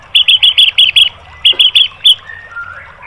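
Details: White-rumped shama 'tembakan' song used to train caged birds and provoke them to answer: two bursts of short, sharp, bright chip notes, five then four, followed by a few faint thin whistles.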